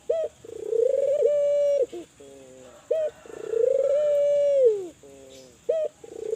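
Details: Kelantan spotted dove in full voice, played to make other doves call: short clipped notes alternating with long, smooth coos that dip downward at the finish, roughly every three seconds, constant high hiss behind.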